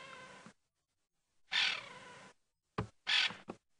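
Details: A scared crested francolin alarm-calls from a treetop in Djuma Game Reserve on a hot afternoon, 19 January 2017, possibly upset by a raptor or snake: loud, harsh, scratchy bursts in irregular bouts, with one longer grating phrase and several short clipped notes.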